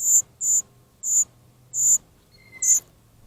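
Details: A young gray catbird at a bird bath on 30 July 2024 whines for attention, unanswered, with five short, harsh, high rasping notes about two per second and a faint thin whistle near the end.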